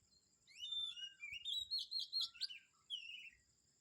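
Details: A short burst of morning birdsong from Kamphaeng Saen: a bright rising warble climbs in pitch through rapid notes, then a downward slurred whistle ends it. A steady high background tone sounds throughout.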